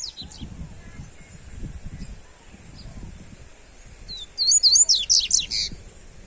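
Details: Seedeater singing a warm-up song for other birds: faint opening notes, then a sudden fast phrase of piercing, looping high whistles lasting just over a second, over steady hiss and soft low noise.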